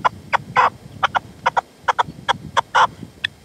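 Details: Close partridge calls from a decoy (reclamo) session at sunset in the sierra near Manzanares, late February 2014; loud, coarse clucking notes, some drawn out and rasping, given about three a second.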